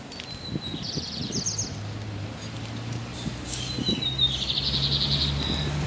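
An ultramarine grosbeak sings two short phrases, each a clear whistle followed by quick, slightly buzzy trilled notes, over a steady low hum.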